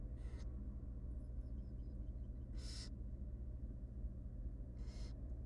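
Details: Wild barn owl nestlings, three tiny hungry chicks in a monitored nest box, being fed by their mother: three harsh, breathy hissing bursts, each under half a second, spaced a couple of seconds apart over a steady low hum.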